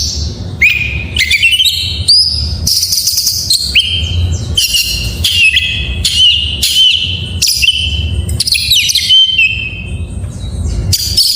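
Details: Morning song of an oriental magpie-robin: loud whistled phrases with rising and falling slurs broken by short buzzy bursts, delivered in quick succession over a low background hum.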